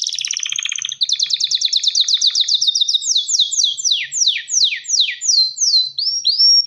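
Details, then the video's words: Courting canary male singing to attract a hen: a fast trill gives way to repeated sharply dropping notes, each about half a second apart, ending in rising whistled slurs. "تغريد كناري ومناداة للتزواج"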